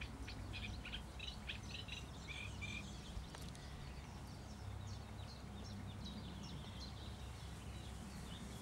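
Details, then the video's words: Eurasian reed warbler sings a steady, chattering run of scratchy notes, repeated in twos and threes, strongest early on, over a constant low rumble. "Eurasian Reed Warbler singing"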